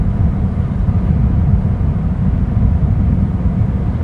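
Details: Heavy low rumble of wind or engine noise throughout, without any animal voice.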